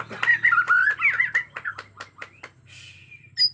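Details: Bornean white-rumped shama, described as agitated, in natural forest sound: a rapid warbled run of rich whistled notes rising and falling, then sharp clicks and a brief buzzy note, over a steady low hum.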